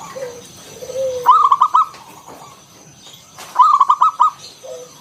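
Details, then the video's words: Lure song of a local zebra dove in the ngalun kung bulat style, meant to prompt other doves to sing: two loud bursts of quick stuttering coos, with low, soft, drawn notes before and between them. "Suara NGALUN Kung Bulat - Perkutut lokal gacor"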